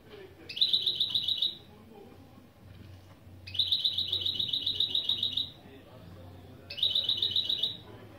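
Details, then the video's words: Goldfinch × canary hybrid repeating a fast even rattling trill in three bursts of one to two seconds with pauses between, low hum in the background. "Saka Melezi Ön Çıkışlar👌 #30 Mixto jilguero/ mulet"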